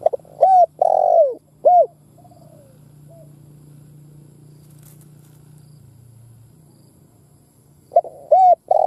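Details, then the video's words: Spotted dove used as a lure to challenge wild doves: a burst of two-part coos with soft trailing notes, then a low hum and quiet, before another coo phrase at the end. "Tiếng Chim Cu Gáy mồi đất gáy kích bổi"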